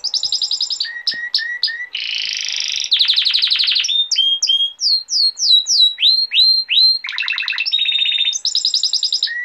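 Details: Male canary tutor song for young canaries, a dense sequence of changing tours: quick chipping trills, a buzzy rolled burst, rapid rattles, repeated downward sweeps, then more trills and chips, all high and continuous without pause.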